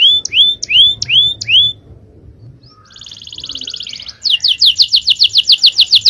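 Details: Canary in powerful champion-style song: a series of sharp upward-swept whistles, a soft pause, then a buzzy rolling trill leading into rapid ringing repeated notes.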